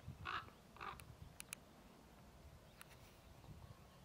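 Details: A common raven at Ljubljansko barje, Slovenia, on 20 April 2024 gives two harsh, hoarse croaks about half a second apart, followed by a few faint clicks and low background rumble.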